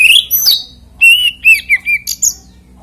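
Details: Oriental magpie-robin, or kacer, in a brief song meant to draw other magpie-robins into singing; a high rising whistle, then clear whistled notes that dip and slide, ending in quick soft chips.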